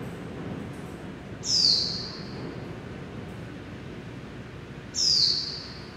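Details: Japanese white-eye trapped in a building at Taipei Artist Village, Taiwan, 2006, giving two thin, high, slightly falling calls about three and a half seconds apart over a steady low rumble.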